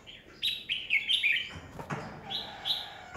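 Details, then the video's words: A Red-whiskered bulbul decoy singing competitively to stimulate other birds, 2020. A quick series of bright, bubbling chirped notes, a dull thud, then two softer warbled notes. "Chào mào mồi cực hay khi luyện giọng ép bổi sổ bọng 2020, Cách luyện chào mào hót căng lửa 2020"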